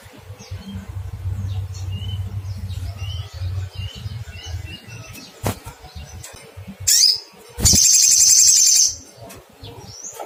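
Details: Little spiderhunter calling to find a rival, with low rumbling and faint distant chirps, then one loud sharp cuitt followed by a fast, high, buzzing trill lasting about a second.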